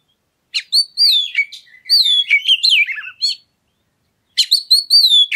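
Oriental magpie-robin song: rich, varied whistled phrases with sweeping slurs and sharp chips, given in two bursts separated by a short pause; nothing else audible.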